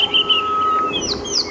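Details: Drongo in the wild at Djuma Game Reserve, October 22, 2015, imitating a rattling cisticola within a mixed bird party during a morning safari drive: a long steady whistled note, then quick falling and rising whistles.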